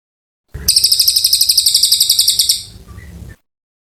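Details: Oriental white-eye in long, vigorous song meant to tutor magpie-robins: a two-second burst of fast, high, buzzy pulses, trailing into softer faint notes before ending.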